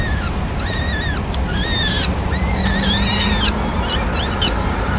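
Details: Peregrine falcons in Madrid, 26 April 2016, as the male brings a small bird as the chicks' first food of the day. Rapid bent harmonic calls, some overlapping, over a droning low background.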